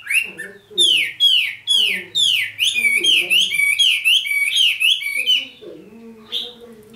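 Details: A red-whiskered bulbul, newly selected, delivers a fast string of bright, downward-slurred whistles in quick succession, then drops to quieter, lower warbles.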